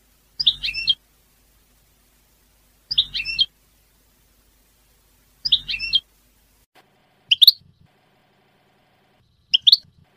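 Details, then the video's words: European goldfinch song given as short, bright twittering phrases. Five brief bursts come at irregular intervals of roughly two seconds, the later ones thinner and fainter, with a faint low hum under the first three. "تغريد حسون في غاية الجمال بدون اخطاء"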